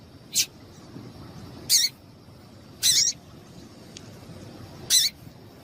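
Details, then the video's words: Female double-collared seedeater calling, a sound used to get males singing: four brief, high, scratchy chips spaced one to two seconds apart against quiet background hum. "Mostre esse piado de fêmea de coleiro ao seu coleiro e veja ele ficar DOIDO cantando Muito"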